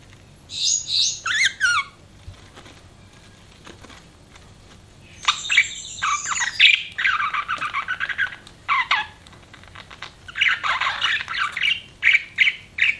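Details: Pet budgie chirping in bursts: a short run of high scratchy chirps, a pause, then a longer warbling chatter with squawky notes, sharp clicks and brief gaps.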